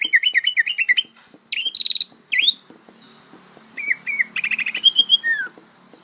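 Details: A greater green leafbird learning to sing gives a bongkaran-style medley: fast wavering trills, sharp upswept notes, rapid buzzy rattles and a long falling whistle, all bright and high.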